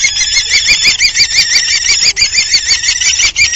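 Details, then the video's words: Common kestrel during copulation at the nest on 30 March 2019; loud, continuous rapid trilling whine, pulsing about three times per second, with a brief break near the middle. "còpula de xoriguer comú (Falco tinnunculus)"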